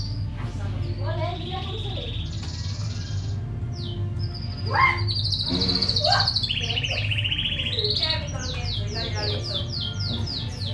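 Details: Two white Fischer's lovebirds in their cage, hatched in November 2015, recorded 27 December 2015 just before noon: shrill chirps and long, buzzy, level whistles with rapid descending notes, over a constant low hum.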